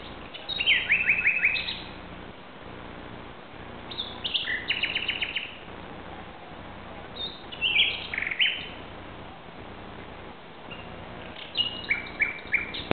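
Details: Common nightingale (Luscinia megarhynchos) singing at night, 2:30 am on 17 May 2009 in Barcelona, Spain: short, varied phrases of rapid repeated notes and rich trills, separated by pauses of a few seconds, over a low steady hum.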